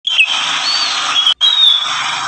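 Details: Greater green leafbird singing loudly and persistently: a continuous dense stream of bright whistled and warbled notes, with brief sliding whistles, broken by one short pause.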